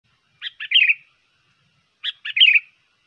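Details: Sooty-headed bulbul lure song from a trained bird, used for bird trapping, tutoring and contests: two bright, chirpy phrases of three or four quick, slurred notes, about 1.6 seconds apart, in silence.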